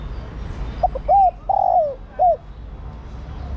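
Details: A female spotted dove urging the male to call, known for calling all day, delivers one soft low phrase: a couple of short notes, a round hoot, a long downward-slurring coo and a final short hoot.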